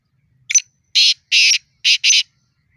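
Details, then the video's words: Black francolin calling during a fight or challenge: a short scratchy introductory note followed by four loud, harsh, grating rasping bursts in quick succession, the last two nearly joined; no other sounds. "Kala Teetar Fight|Kala Teetar ki phali bulai or 3rd Bulai|Kala Teetar ki awaz|Black franclion voice"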